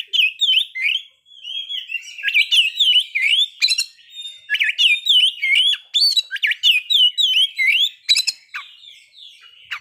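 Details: Oriental magpie-robin in full song as a lure for breeding drive and aggression: a steady chain of short melodic whistles, many with downward hooks, mixed with high sharp chips.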